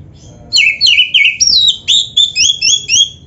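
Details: Kacer or white-rumped shama training song for caged birds: a quick series of about ten sharp whistled and chattering notes, each phrase bouncing between high and low pitches.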